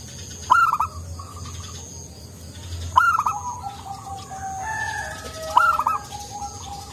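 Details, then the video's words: Local zebra dove in full, soft-voiced song: three repeated cooing phrases about every two and a half seconds, each starting with a sharp note and falling into softer, lower rolling coos, over faint background hiss. "Perkutut lokal gacor suara empuk"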